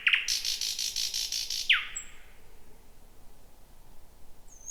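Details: Thrush nightingale song at night in 2026 from a dense bushy spot: a long loud rattling trill framed by sharp falling notes, followed by faint high whistles in a quiet background.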